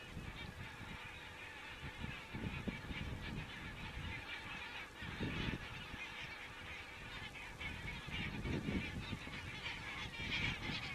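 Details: Geese in Estonia on 27 September 2017, picked up by a crane webcam: a dense chorus of overlapping nasal honks, with louder bursts around the middle and end, over steady low rumble.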